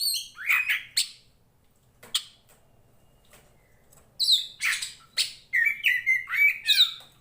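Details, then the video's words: Oriental magpie-robin, poci type from Tretes, a combative songster used to train fellow birds: harsh squawky notes and whistles, a quiet stretch with scattered clicks, then a lively run ending in sliding whistles. "SUARANYA BIKIN POCI KACER MANAPUN EMOSI"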